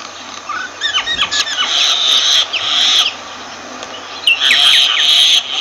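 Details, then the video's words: Myna mixing quick rising and falling whistled notes with long raspy, scratchy passes, with a harsh, noisy stretch again near the end. "Myna Bird sound Voice"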